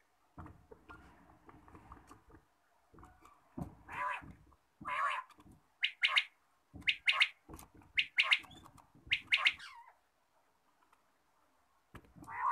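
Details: A quail calling in the morning gives short, bright, clipped calls in quick bursts of two or three notes, about one burst a second, with a faint low rumble beneath.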